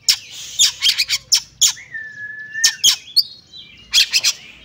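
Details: Oriental magpie-robin in fighting song, mixing harsh noisy bursts with a long, steady, level whistle and a higher drawn-out note, then more scratchy chatter.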